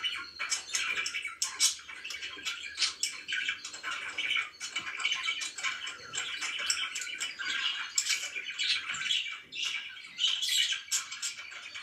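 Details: Pet budgerigars in the morning keep up a long stream of chattering warbles, clicks and scratchy squeaks, rising and falling in loudness but never stopping.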